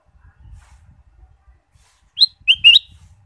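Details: Ruby-throated bulbul stimulus song for caged birds: after quiet low rustling, a single loud whistled phrase of three notes, the first rising, the next two lower and slurred.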